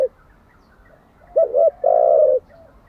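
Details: Spotted dove cooing, a recording used daily to train decoy and wild-caught doves: a short low note, then a quick double-looped coo and a longer steady hoot around the same low pitch, over quiet background.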